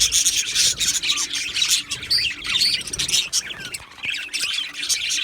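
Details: Budgerigars in a colony aviary give lively, overlapping calls. Quick rising chirps and squawks come about twice a second against a steady background twitter.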